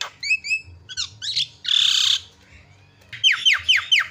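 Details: Javan myna used as a calling lure for other birds: short whistled slurs, a long harsh rasping screech, a pause, then a string of descending, sharp squawks.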